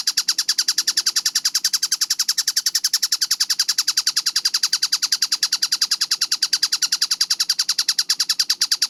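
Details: Kingfisher, locally called tengkek buto, in a masteran training recording dated 4 August 2026, billed as clear-voiced and fast: an unbroken run of harsh, metallic chattering notes, about three and a half per second, steady and even, over a quiet background.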